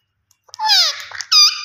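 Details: Rose-ringed parakeet, the green ringneck parrot, giving a harsh drawn-out falling screech followed at once by a short loud squawk, with no other sounds.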